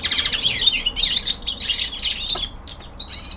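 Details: Common linnet, a young male kept indoors, delivering winter descant song: a fast burst of twittering, buzzy chirps that trails off into a pause, then resumes with short clipped notes.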